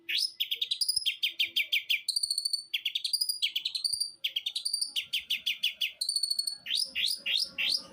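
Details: Long-tailed shrike (cendet) singing loud and nonstop: a rich run of varied whistled phrases, rising slurs and rapid chattering notes in quick succession, very clean with almost no background noise.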